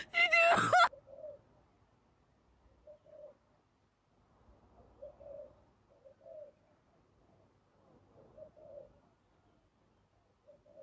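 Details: A spotted dove, a wild bird being trapped with a decoy, gives quiet, low coos in short groups with pauses between them, after a brief loud burst at the start.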